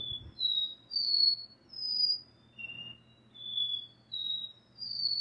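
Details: Captive double-collared seedeater (caboquinho) kept by a breeder, giving the classic repeating "dó ré mi" song: pure drawn-out whistles alternating between higher and lower pitch, about one note per second, over quiet low hum.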